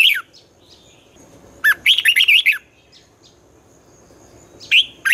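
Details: Red-whiskered bulbul morning competition song in the twisting 'giọng xoắn' style, used to train newly caught birds: a burst of quick warbled, rolling notes around mid-1.7 seconds, with clipped phrase fragments at start and end and a faint steady high tone behind.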